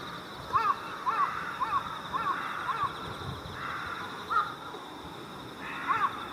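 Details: Mixed flock of Jungle and Carrion Crows gathering on countryside electric cables at dusk before roosting, early October 2018, Japan, gives short, hoarse caws in a loose series, about two per second then spaced out, several birds calling over a steady hum.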